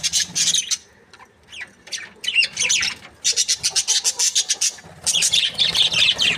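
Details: Happy breeding pair of Australian budgies chattering in bursts: rapid trains of clicking, ticking notes and squeaky chirps separated by brief quiet gaps of about a second.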